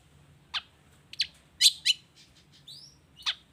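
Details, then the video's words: Long-tailed shrike song used as a lure to provoke other shrikes into answering: sharp, harsh notes sweeping down from high pitch, spaced irregularly, with a short rising whistled phrase near the end over low steady hum. "Suara Cendet Gacor Toet toet Efektif Anti Gagal Bikin Cendet Malas pun Langsung Nyaut Bunyi Seketika"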